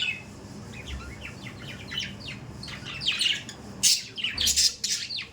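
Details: Budgerigars as household pets: soft, scratchy warbling notes at first, then louder sharp chirps and squawks near the end.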